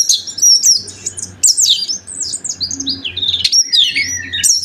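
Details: Energetic Oriental magpie-robin song meant to stir other magpie-robins into song: bright descending whistled slurs, rapid twitters and sharp high notes in tumbling phrases, with a low hum underneath.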